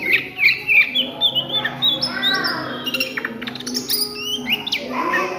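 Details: Oriental magpie-robin singing in ngriwik style at midday: rapid, varied whistled notes with sharp rising and falling sweeps, some high buzzy chatter, and a steady low hum beneath.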